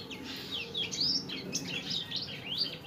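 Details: Indonesian recording of a lively Sanger, used to train caged birds. A dense, unbroken run of sharp chirps and swooping whistled notes, some rising and some dropping, over a soft low hum.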